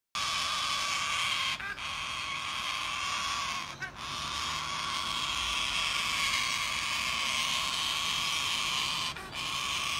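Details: A young cockatoo in Epping, Australia, in 2019, throwing a tantrum outside a window for three hours because it wants its parents to keep feeding it, gives a harsh, rasping, drawn-out screech with only three brief breaths.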